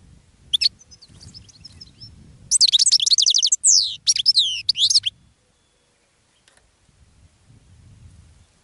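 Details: Goldfinch song meant to draw in other birds: a single chirp, then a dense two-second run of quick, high, jangling notes, followed by quiet with soft low background noise.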